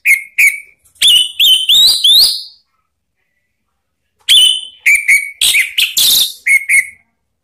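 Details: Orange-headed thrush calling so other birds join in singing ('ngeplong'): two short whistles, then a series of rising slurred whistled notes, a long silence, and another lively run of whistles and harsher chatter.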